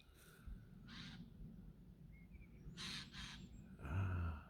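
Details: As dusk falls, a Black woodpecker (Dryocopus martius) gives harsh, rasping alarm or warning notes, about five bursts spread irregularly over four seconds, over a low rumble of wind and a faint thin whistle.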